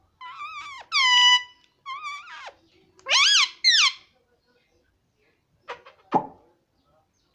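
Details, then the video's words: Talking parrot gives a series of nasal, voice-like syllables over the first four seconds, some level and some swooping. Quiet follows, with a few soft knocks and a brief low sound near the end. "parrot talking papa || parrot talking mummy"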